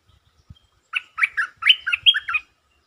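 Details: A single quick phrase of six or so liquid, bubbling notes from a provoked territorial stripe-throated bulbul in sab-rik lure song. A faint soft knock comes just before it.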